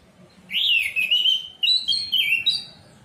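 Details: Loud, clear Orange-headed thrush song, played as lure audio to get a quiet bird singing: a sustained, wavering whistled phrase that drifts up and down, followed by several quick higher slurred notes.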